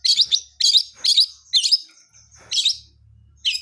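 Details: Long-tailed shrike of the blangkon type, wild, singing in full-fill style: scratchy, buzzy bursts at irregular intervals with a faint low hum underneath.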